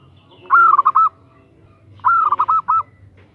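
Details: Two loud phrases from a female zebra dove calling to a male, about a second and a half apart. Each is a rapid stuttering run of four or five rolling coos.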